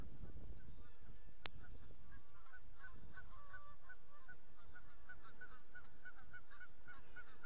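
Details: Geese active on a pond on 31 March 2014: a busy chorus of short, nasal honks, rapidly repeated and overlapping, with one sharp click early on and low wind rumble beneath.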